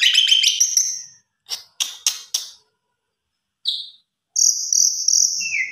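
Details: Javan pied starling (Gracupica jalla) song used as a lure to make other starlings sing: a varied medley of rapid chattering notes, harsh broadband bursts and high whistled phrases, with short pauses between segments.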